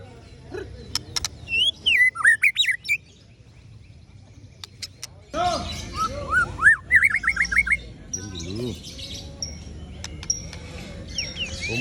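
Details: White-rumped shama (murai batu) performing Ciung Wanara style song: bursts of varied swooping whistles and fast repeated notes separated by pauses, with background rustling and low noise.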